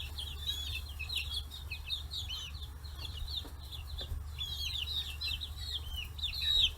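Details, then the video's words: Free-range forty-day-old chicks at fish heads on a Japanese farm in Kitanohiroshima; bursts of high, looping peeps from several birds, quieter stretch mid-clip, then renewed chirping, over a low mechanical hum. "chicks chirping sounds"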